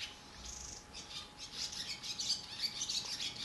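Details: Barn swallows in a cow barn, where adults fly in and out feeding nestlings; a quick stream of high, scratchy chirps and twitters, rising in loudness toward the end, over a faint constant hum.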